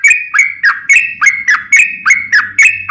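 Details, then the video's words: Sooty-headed bulbul in full rolling song, the long 'ropel panjang' style used as a lure to prompt other bulbuls to answer; bright bubbly whistled phrases repeated about every third of a second, with a faint low hum. "trucukan gacor ROPEL PANJANG"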